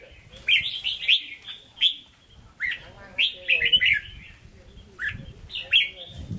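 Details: Red-whiskered bulbul kept in a cage, singing in the Hue style: short whistled, warbling phrases about every second, separated by brief gaps, with a faint low rumble and a soft voice in the background.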